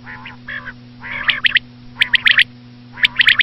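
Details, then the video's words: Common quail, described as a female: nasal, harmonic notes running straight into quick clusters of sharp, high clicks, three such phrases in a row, over a low hum. "common quail.quail sound effect.batair ki Awaz.Звук самки перепела.صدای بلدرچین ۔.बटेर की आवाज"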